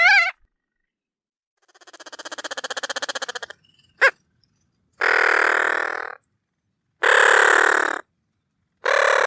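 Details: Bridled tern calling in a series of harsh, rasping bursts. A softer pulsed rattle is followed by a brief sharp note, then three loud grating calls about a second apart, with no other sounds.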